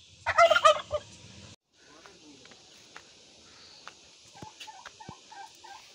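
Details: A turkey hen in a Nepalese village gives a loud, rapid burst of harsh, rattling "kor kor kor" notes, then quieter clucks and soft scattered calls follow in the background.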